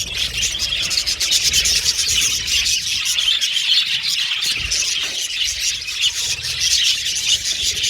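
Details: Budgerigars in an aviary colony produce a dense, continuous wash of high chirps and warbles, many birds calling at once with no pauses across the whole stretch.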